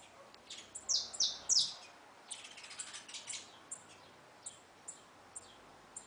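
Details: Belgian canary giving three bright, piercing descending notes, followed by a soft fluttering twitter and then sparse, evenly spaced faint chirps.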